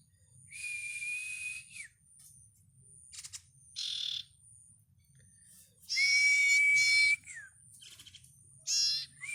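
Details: Nestling bar-winged prinia giving loud, noisy, buzzing bursts of high calls lasting about a second each, alternating with short raspy notes and a sustained level whistle that falls at the end.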